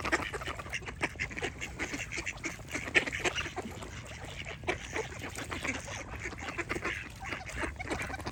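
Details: Ducks quack in a lively overlapping chorus of brief raspy calls, a few sharper loud quacks punctuating the stream, with low background rumble throughout.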